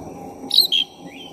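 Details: Black-breasted oriental magpie-robin, singing actively as a provoking lure: two quick piercing whistled notes, the second lower, followed by a faint drawn-out whistle, against low constant hum.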